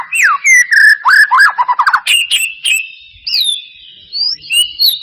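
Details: White-rumped shama lure song for getting reluctant birds to sing: loud clear whistles, a falling slurred note, then a rapid run of short chirps and drawn-out high whistled phrases with brief pauses.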